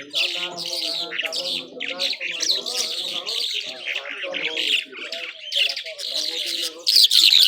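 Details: Skylark of the Irani Mashadi type, called jhal, singing nonstop: a dense, continuous stream of high buzzy trills and warbles with faint lower tonal notes running beneath.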